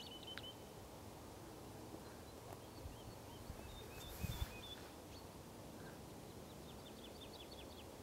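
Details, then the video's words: A woodlark (Lullula arborea) sings in spring, in full voice: faint, liquid strings of high repeated notes that quicken toward the end, over a steady low rumble of wind. "Alondra totovía a pleno pulmón"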